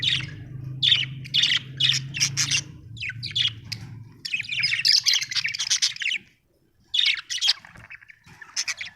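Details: Budgie, an Australian bird, chirping happily: rapid harsh chirps and squawky warbling in long runs, one short silence, then more scratchy chatter; low humming background in the first half.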